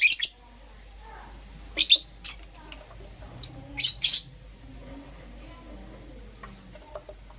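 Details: Euwing green opaline and lutino lovebirds in the morning give a few loud shrill chirps early on, including a sharp doubled burst, then fall mostly quiet with only faint distant notes.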